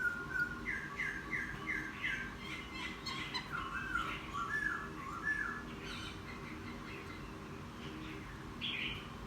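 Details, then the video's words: Newly caught wild laughingthrush, ten days kept, singing more after bathing: a quick series of repeated whistled notes, then varied warbling phrases and a high squeaky note near the end. "Khướu bổi hót gió ( chuyện kích bổi hót cực sung"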